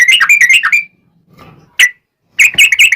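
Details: Yellow-vented bulbul in energetic song used as a lure for other bulbuls. A fast burst of buzzy, chattering whistles is followed by a soft rustling pause, a single note, then another rapid chattering burst.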